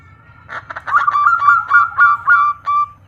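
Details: Female local zebra dove calling to a male: a quick series of hooked, slightly buzzy notes, about five per second, each briefly rising then falling, with faint low rumble underneath.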